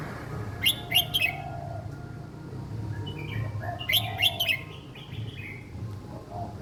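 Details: Young red-whiskered bulbul in a cage singing a simple song for young birds to copy: two short phrases of three bright, quick whistled notes, with softer warbling and a low rumble behind.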